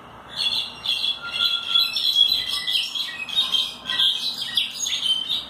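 Brown-backed solitaire giving high, metallic chattering bursts about twice a second, running into a busier jumble toward the end, with a faint thin whistle early on.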